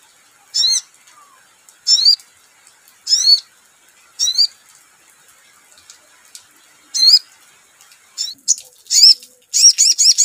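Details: Crimson sunbird song used as a lure recording: very high, thin, sharply rising chips in short bursts, about every second, then quickening into a rapid twittering run near the end.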